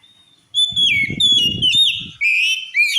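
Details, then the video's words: Oriental magpie-robin song said to make other magpie-robins fly into a rage: loud, rich whistled phrases with sliding and warbled notes in quick bursts, a brief dip before a final run, with low thumping noises underneath early on. "Suara Kacer Ini Mampu Bikin Kacer Lain Auto Ngamuk"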